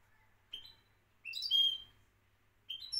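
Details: European goldfinch, a Moroccan champion singer, giving three short, separate high phrases: a rising liquid note, a bright twittering burst, then another rising note, with quiet pauses between.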